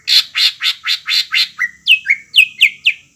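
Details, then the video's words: Greater green leafbird song used to get young birds singing: six harsh, rasping notes followed by five sharp down-slurred whistles, about two notes per second. "PANCINGAN CUCAK IJO BAHAN ATAU BAKALAN AGAR CEPAT GACOR"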